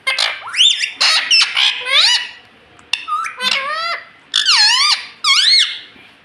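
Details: Pet green parrot, ringneck, talking indoors, calling out a word like "mummy" several times with clear whistled, bending tones and sharp rising and falling notes, loud and close.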